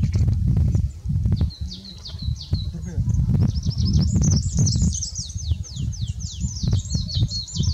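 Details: Olive-backed pipit calling in open forest, filmed with a Nikon P900: rapid series of thin, very high descending notes, over steady low rumble of wind or handling noise.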